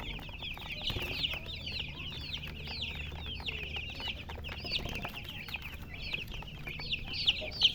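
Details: Many baby chicks chirping together, their high, thin peeps falling in pitch and tumbling over one another in a rapid, uneven stream, with a faint low background hum.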